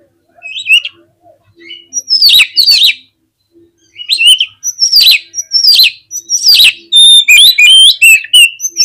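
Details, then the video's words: Oriental magpie-robin in agitated song intended to provoke rivals: loud bursts of sharp, clicking notes mixed with varied whistled phrases, growing denser and more rapid toward the end, with a faint low hum behind. "SUARA KACER GACCOR CEPAT BIKIN EMOSI KACER NAIK DI GANTANGAN AUTO KONSLET"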